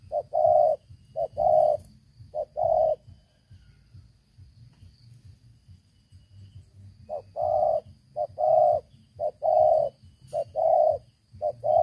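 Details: Spotted dove, a caged decoy bird used to lure wild doves, noted for a loud voice: two short bursts of low hollow cooing, each a quick pair of notes then a longer drawn coo, separated by a pause with a faint low background hum.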